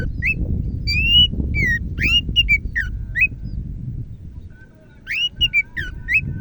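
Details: Greater green leafbird of the Medan type, singing actively: bright whistled notes that sweep up and down in quick bursts, a brief lull midway, then more whistles, over a steady low rumble of background noise.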